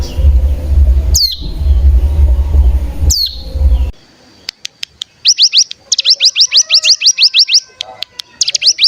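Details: Bar-winged prinia (cigun) used as a decoy for other birds. Two sharp descending whistles sound over a low hum. After a pause, quick bursts of rising high whistled notes follow in clusters.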